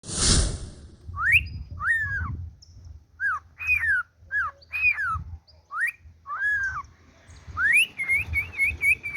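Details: Cockatiel (Nymphicus hollandicus), song.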